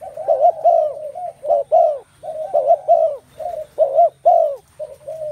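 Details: Spotted doves cooing in a dense chorus, giving loud, rolling, husky notes that overlap and repeat irregularly, some softer coos between the louder ones.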